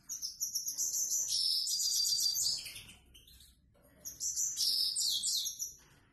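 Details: Grey-headed goldfinch delivering the plain 'prostyak' song type: two bursts of fast, high, jangling twitters with buzzy trills, separated by a short pause of near silence.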